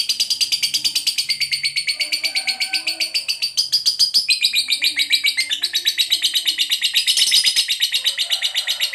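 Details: Lovebird chatter used for training pet birds: a dense, rapid stream of scratchy, buzzy chirps, about four per second, rising into sharper, brighter bursts midway and near the end, with faint low background murmur.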